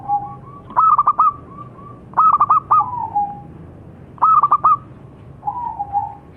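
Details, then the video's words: Local zebra dove (perkutut lokal) singing: bursts of three or four quick, bright, bubbling notes followed by a softer falling coo, repeated about every two seconds, with low background hum. "Suara Burung - Perkutut Lokal"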